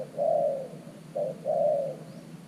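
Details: New decoy spotted dove used with a clay trap to attract wild doves. It makes a mellow, low coo, then a clipped note followed by a longer rolling coo. Background is quiet.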